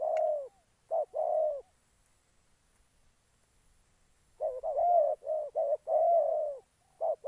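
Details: Spotted dove decoy for bird trapping in Gia Lai, Vietnam: a burst of coos, a long silent pause, then a rapid busy run of short and drawn-out coos, possibly two birds calling together.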